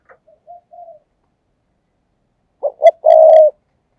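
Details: Decoy spotted dove cooing to lure doves in 'thúc gù' style: a few faint low coos, a pause, then a loud phrase of two short clipped notes and one long, steady, drawn-out coo.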